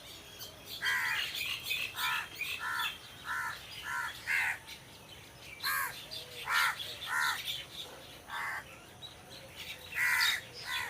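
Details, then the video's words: Crows calling among trees: a series of harsh, nasal caws with stacked harmonics, given singly and in quick pairs roughly every half second to second, several birds overlapping, over a faint steady background hiss. "Crow Sound Crow Ki Awaj"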